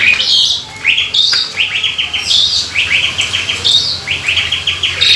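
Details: Asian pied starling song with its mimicked repertoire, used as a lure to bring other starlings into song: a high rising whistle, then a quick run of five or six sharp descending chirps, the phrase repeated about every 1.3 seconds.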